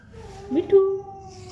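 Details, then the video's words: A talking parrot: one brief voice-like utterance lasting about half a second, tonal and steady with a slight rise at the start, set against a faint low background hum. "Taking parrot"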